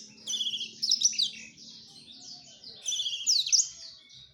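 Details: Male black-throated canary courting a female gives two short bursts of high, sharp twittering trills and squeaky whistles, linked by a softer stretch, over a low humming background.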